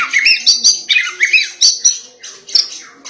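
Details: White-rumped shama giving harsh, scratchy notes in an insistent song meant to provoke other shamas, with bursts of rough chatter repeated about every third of a second.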